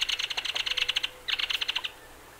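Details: Belted Kingfisher (Megaceryle alcyon) giving its dry, harsh rattle call: two rapid bursts of clicking notes, about fifteen per second, separated by a brief pause.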